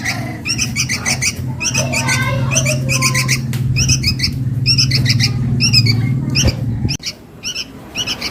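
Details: Sooty-headed bulbul chick begging for its mother, a lure sound: rapid harsh chirps in clustered bursts over a loud low rumble that cuts out near the end, leaving clearer calls.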